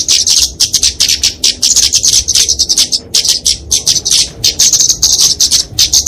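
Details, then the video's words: Flowerpecker (kemade, Dicaeum) fighting song, played to train and lure songbirds: thin, very high, rapid ticking and twittering in tight bursts, with a short pause around the midpoint. "Kicauan Kemade Tarung"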